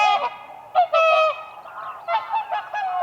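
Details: A few whooper swans on spring ice give bugling honks, a strong call near the start, then softer overlapping notes.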